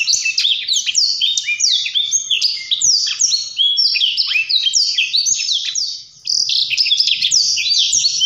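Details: Blackthroat singing a long, rapid, continuous warble of high descending whistled notes and sharp trills, tumbling without pause, with a brief dip near the end.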